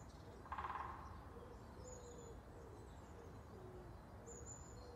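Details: Great spotted woodpecker drumming in woodland opposite Landgoed Ruwinkel to mark territory and strengthen the pair bond: one short, rapid burst of knocks near the start, then quiet forest ambience with faint high bird calls.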